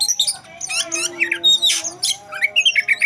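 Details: Oriental magpie-robin singing in fight mode: rapid, loud bursts of scratchy trills, sweet whistles and harsh squawk-like notes, densely packed, with a faint steady low tone in the background.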